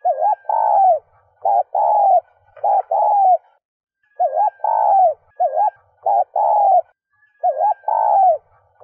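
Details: Spotted dove, a kept bird whose recording is used to stimulate other cooing doves, gives repeated low, mellow coo phrases, each a short rising note then a longer drawn-out coo, about every three seconds.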